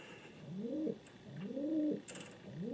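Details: Cooing king pigeon: drawn-out, swelling arched hoots, each close to a second long, separated by brief gaps, with a faint rattle partway through.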